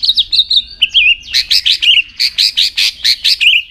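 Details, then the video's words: White-rumped shama trained for singing contests: high, wavering whistled notes followed by a steady series of loud, buzzy chirps about every quarter second. "luyện giọng chòe lửa hót kích chòe lửa nhanh căng lửa"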